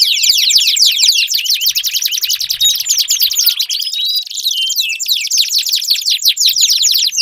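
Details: Canary singing as a prompt for a silent bird: rapid high trills and tumbling chirped notes pour out nonstop, with brief whistled slides woven into the dense, bright warble.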